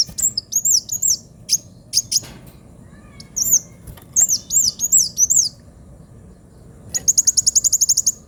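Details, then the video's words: High, sharp 'pedes' singing of a kolibri wulung sunbird in full 'gacor' mode: thin arched whistled notes and scattered chips, ending with a fast, evenly pulsed high trill. "Kolibri wulung gacor suara pedes"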